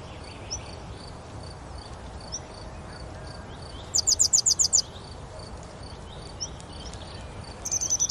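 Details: Grey wagtail recorded at Oukaimeden near Marrakech, Morocco: a single quick burst of shrill high notes midway, another starting at the end, with faint bird chirps and a constant background hiss.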